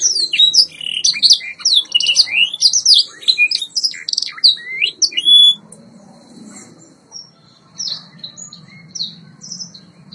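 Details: White Yorkshire canary singing for training: a dense burst of rapid chirps and slurred whistles for about five seconds, then sparse soft notes over a low hum.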